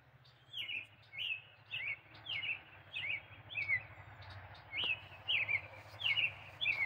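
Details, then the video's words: A male American robin in Michigan sings loudly enough to be heard inside a house: a steady string of clear, warbled phrases, each slurring up and down, about one and a half per second, over a low background hum. "red robin singing"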